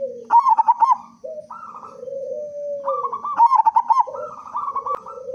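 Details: Loud-voiced local zebra dove singing freely as a lure for other doves; two quick bursts of trilled, stuttering coos separated by drawn-out level hoots, and a faint low drone underneath.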